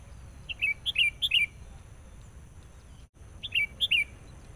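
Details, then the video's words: Sooty-headed bulbul, a decoy bird used in trapping, calling agitatedly on meeting a rival: bursts of three or four short, bright, chirpy descending notes, a pause of about two seconds, then another quick burst, over low rural background hiss. "PIKAT KUTILANG NGAMUK NGOTOT. SAAT BERTEMU LAWAN.."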